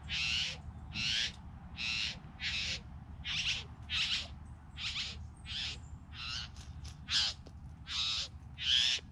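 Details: Three bowerbirds; harsh, hissing, rasping bursts, each about half a second long, repeated steadily at a bit more than one per second, with a low constant hum underneath.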